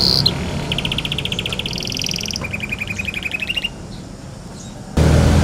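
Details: Pet canary singing energetically while bathing: a rapid buzzy trill of repeated high notes, a brief higher trill, then a lower rolling trill, over a steady low rumble of background noise.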